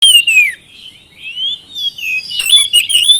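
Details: Oriental magpie-robin, a bait recording meant to prompt lazy birds to answer and sing; varied whistled phrases sliding between mid and high pitch with sharp chirps near the end.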